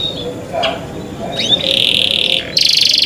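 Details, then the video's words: Canary in cenkok song style: faint opening notes, then a sustained high steady tone followed by a fast buzzy trill of rapid repeated notes in the final second. "CENKOK CANARI SOUND, CLEAR SOUND"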